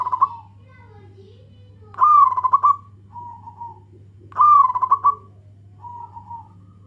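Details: Local zebra dove calling to its companions. Soft, mellow cooing phrases come about every two and a half seconds. Each starts with a short upswept note that runs into a rolling staccato trill, followed by a fainter, level trill. A steady low hum runs underneath.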